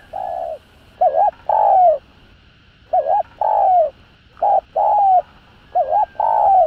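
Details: Luring coo of a spotted dove in the urgent 'thúc gù' style: four phrases, each a quick wavering double note followed by a longer, slightly falling coo, with clear gaps between phrases.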